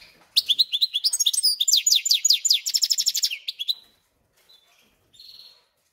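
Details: A caged goldfinch–canary hybrid, newly settled in after two to three days, sings a fast, bright run of high twittering notes and repeated trills for about three seconds, then a few soft chirps.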